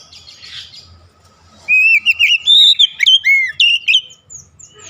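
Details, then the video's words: Oriental magpie-robin (kacer) singing a rhythmic calling song: after a quiet start, a fast run of loud, clear whistled notes that slide and rise between mid and high pitch, with brief faint chatter before. "kicauan Kacer memanggil penuh irama"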